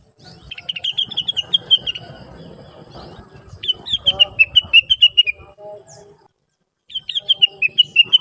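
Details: Blue-winged leafbird singing busily and melodiously as a training model for other birds: three rapid strings of high, sweet notes, each slurring gradually downward, separated by brief pauses and a moment of silence.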